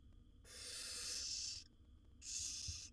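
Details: Wild barn owl nestlings, seven owlets fed by their mother in a nest box, give a long harsh hissing rasp of over a second, then a shorter second rasp after a pause.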